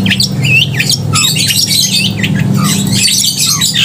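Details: Loud, clear Long-tailed shrike song, used to provoke emotion and breeding urge in other shrikes: rapid varied whistles, upward and downward slurred notes and scratchy squawks tumble without pause, a constant low droning hum beneath.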